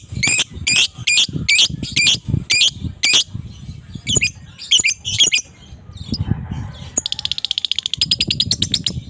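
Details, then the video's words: Morning ngekek of an adult fighter lovebird, played to provoke quiet lovebirds: a string of piercing squawks about twice a second, softer paired notes, then an extended fast, high, buzzing chatter. "pancingan suara lovebird dewasa fighter ngekek dipagi hari Jos pasti respon lb bisu"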